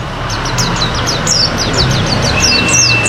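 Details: Pleci (oriental white-eye) singing as a lure to draw other birds into song: a quick series of high, sharp down-slurred chirps, then a long level whistled note. A low rumbling hum sits beneath.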